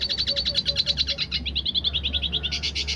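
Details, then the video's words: Dilute red siskin in roll tembak song, a fast, even series of high twittering notes that shifts partway through into a slightly lower, more rounded trill before ending in a brighter, buzzier run, over a low steady hum. "Siskin dilute gacor tipe roll tembak"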